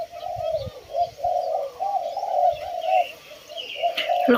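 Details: A group of captive Spotted Doves trade soft, mellow coos in overlapping phrases, joined by scattered faint chirps from other birds and a sharp clatter near the end.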